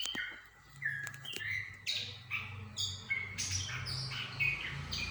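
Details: Lure song of the Sumatran laughingthrush (goci), used to draw an answering bird: bright whistled phrases and harsher chattering notes in short bursts, over a steady low hum.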